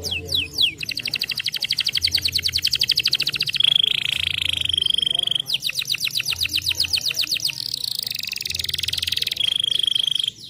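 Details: Canary song used to stimulate other canaries: long rapid trills of repeated descending whistled notes, switching between faster and slower rolls, with a steady high tone between phrases.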